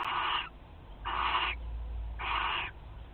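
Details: Barn owl (Tyto alba) at a nest site in spring, 29 March 2023, gives three harsh, hissing screeches, each about half a second long and about a second apart, over a low background hum.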